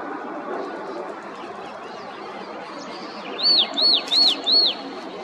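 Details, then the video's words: Chestnut-headed tanager recorded in Parque Oriental, Ribeirão Pires, São Paulo state, Brazil, in 2022: four high arched whistled notes, each rising then falling, in quick even series, over loud broad background hiss like insects or rushing water. "Carretão (Agelastcius atroolivaceus)"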